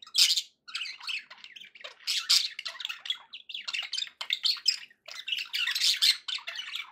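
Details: Budgerigars in steady, harsh squawking chatter: overlapping raspy squeaks and chirps follow each other in quick, uneven bursts throughout.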